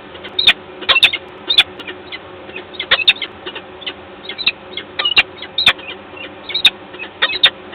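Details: Agitated common starling calling loudly in Gdańsk on 29 August 2022: harsh, rasping bursts repeated irregularly about every half second to second, over a dull hum.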